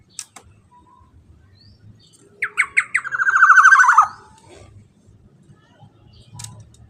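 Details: Lure song of a black-naped oriole, meant to set other orioles singing: a few sharp clicks, then four strong notes and a rolling, harsh, downward-sliding burst of rapid notes, with light background noise.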